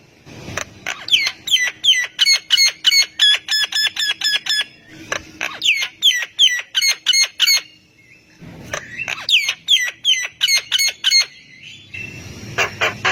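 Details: Javan myna song used to coax silent mynas into responding, delivered as rapid bursts of ringing, harmonic chips, about three per second, in long runs broken by short pauses and a harsh rasping close.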